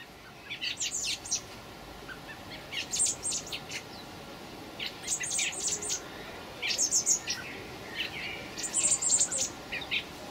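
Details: Fledgling common blackbirds begging, 26 May 2018: bursts of high, rapid squeaky notes about every two seconds, five bouts separated by short quiet gaps.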